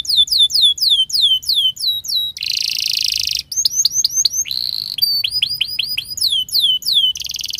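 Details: Canary singing a varied, lively song as a model for young birds: tours of downward-curving whistled notes alternate with harsh buzzy rolls and rapid chirping phrases, all high and bright with hardly a pause.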